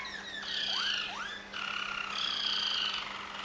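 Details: Waterslager Malinois canary from Veliko Gradiste, Serbia, softly singing swooping downward whistles that turn into rising glides, then a smooth rolled trill held for about a second.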